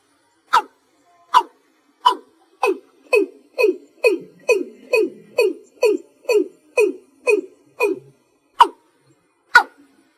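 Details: Watercock calling at night in slow single-note style: a series of about fifteen hollow, downward-sliding notes, spaced roughly half a second apart in the middle and slowing to wider gaps at the start and end, in an otherwise quiet background.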